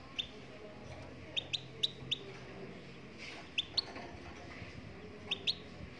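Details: Singing Moroccan goldfinch: crisp, high single chirps in loose pairs and clusters, separated by short pauses, against quiet steady background noise.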